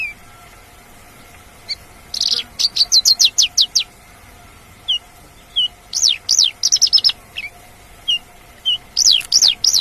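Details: Wild Javan bush lark singing in spaced phrases of rapid, sharp, up-and-down chirps and trills, separated by short pauses, over a faint steady hum.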